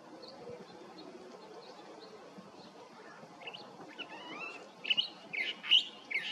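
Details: California Thrasher singing at Ascot Hills Park, El Sereno, California, on 19 December 2021: a run of varied phrases, some slurred and whistled, others sharp and emphatic, after a few seconds of steady background hiss.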